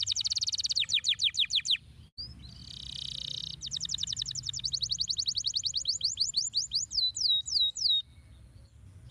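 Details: Canary song used to stimulate lazy canaries to sing: fast repeated sweeping notes, a buzzy roll, then long accelerating trills ending in high slurred notes.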